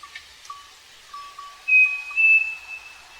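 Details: Striped cuckoo (Tapera naevia) singing on a farm gives two pure, drawn-out whistles, the second slightly higher, over a series of softer, lower whistled notes from another bird.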